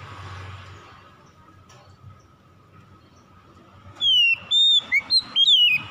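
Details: Oriental magpie-robin (kacer) lure song for getting a lazy bird singing: low rumbling background noise at first, then loud, bright whistled notes rise and fall in a rapid run of short phrases near the end.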